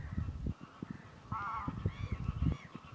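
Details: Common merganser courtship on Fyris Creek in early spring, April 2 2022; a short quavering, trilled nasal note mid-clip followed by fainter harmonic calls, against steady low rumble.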